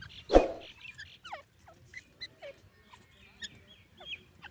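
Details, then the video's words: Grey francolin (teetar) giving a loud harsh burst, then short sharp notes that slide downward, repeated roughly every half second. "Teetar ki awaz"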